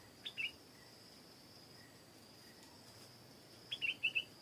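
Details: Garden-recorded stripe-throated bulbul giving two brief phrases, each a high pip followed by two or three fast warbled notes, separated by a few quiet seconds of soft insect hum.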